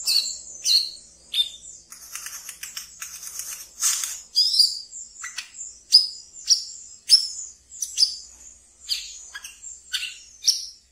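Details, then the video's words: Brown-throated sunbird kept in captivity, giving its ngeriwik chatter as a training lure: a rapid rattled buzzing passage, then a long run of piercing high chirps spaced about half a second apart. "Wiceh Ngeriwik Yang Asyik Untuk Di Pelihara dan bisa untuk Pancingan Terapi Bahan kolibri kelapa"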